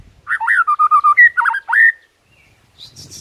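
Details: White-rumped shama singing in the morning to provoke rivals: a quick series of clear whistled notes, rising and falling around a steady pitch, ending in a longer upslurred whistle, then a faint rustle.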